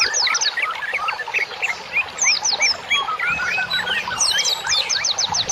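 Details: Masteran birdsong used as therapy for cage birds, with many birds chirping at once: rapid clipped notes and thin descending whistles tumble over one another in a busy, unbroken high-pitched chorus.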